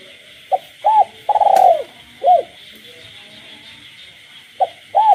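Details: Nighttime cooing of a caged spotted dove in the countryside, with frogs calling. A short note and arched coo lead into a long rolling pulsed coo and another arched note. After a pause the phrase starts again under a steady high hum.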